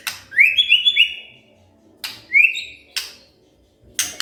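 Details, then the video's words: White-rumped shama stirred up and responding with song. A few clear rising whistles come in a short cluster, a lone upslurred whistle follows, and harsh clicking bursts sound between them. "tidak nyampe 3 menit murai TERPANCING emosinya, nyaut GACOR"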